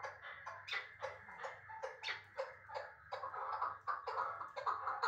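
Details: Uzbek chukar partridge, caught as a young bird from last year's brood and held in Dushanbe, uttering uneven, scratchy chuk notes roughly twice a second that grow more rapid and rattling toward the end, with a low hum underneath.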